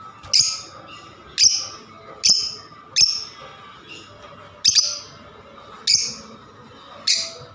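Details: Lovebird giving sharp, high squawking chirps, seven separate calls spaced about a second apart, with a faint steady hum behind.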